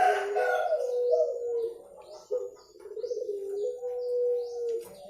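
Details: A spotted dove gives clear, low, mellow coos in a rolling phrase for luring birds, while thin high chirps from other birds sound faintly in the background.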